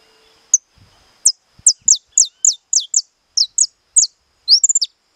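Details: Captive-bred saffron finch singing in the 'estalado' style: after a lone sharp note, about ten crisp, high, downward-snapping notes follow in quick succession, closing with a rapid rattling cluster of notes.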